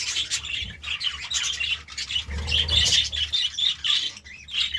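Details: Budgerigars chirping in the morning: continuous busy chatter of warbles, squawks and short chirps, with low hum throughout.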